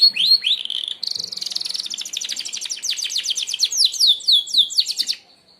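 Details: Merlok canary singing the sharp-shot song used to tutor other birds: an opening upward slur, a fast dense trill, a cascade of steep descending whistles, then silence.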